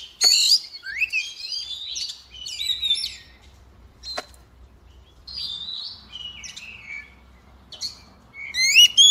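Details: White-rumped shama female singing to trigger male song; separate bursts of varied whistled warbles and slurred notes with pauses and a few clicks between, ending in a loud rising phrase.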